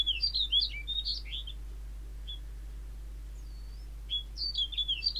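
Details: Snow bunting singing a bright warbled phrase of clear chirps, a pause with a single faint note, then another twittering phrase, against a constant low hum.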